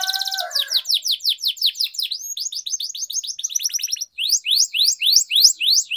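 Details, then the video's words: Training song of a canary, delivered in long rolls: a brief low warble, then strings of quick falling whistles, a tight high trill, and finally rising-then-falling looping notes repeated about twice a second. "Canary Singing Training, Kenari Gacor Ngerol Panjang, Pancingan Kenari Macet, Masteran Kenari Paud"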